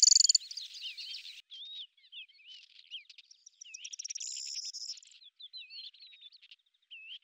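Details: Lesser grey shrike: a loud harsh buzzy burst opens, then quieter looping whistles and chatter follow, with a dry trill midway and soft twisting notes to the end.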